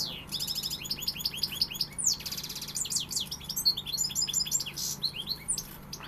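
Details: Song of a European goldfinch: a lively run of repeated tinkling notes, a brief harsh buzzy rattle, then more high, quick chattering phrases over faint background hum.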